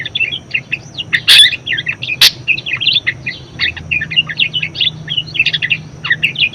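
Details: Budgerigar pouring out continuous warbling chatter, used as a tutor for other cage birds: quick squeaky twitters and chirps, two sudden loud sharp notes early on, with a soft low drone throughout.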